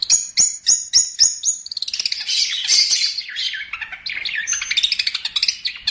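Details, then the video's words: Long-tailed shrike master song used to train birds: several loud, clear high notes spaced evenly, followed by a rambling, rapid mix of scratchy chatter and twittering. "MASTER BURUNG CENDET"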